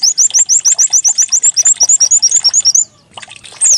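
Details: Decoy white-eye (pleci) song to encourage a bird to open its beak and sing: a rapid sequence of high upslurred chirps, then a short pause and one final bright note.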